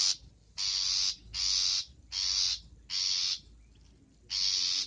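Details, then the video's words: Long-tailed shrike in a training recording full of varied song content: five loud, harsh, scratchy screeches of about half a second each, spaced with short pauses. "MASTERAN BURUNG CENDET FULL ISIAN GACOR"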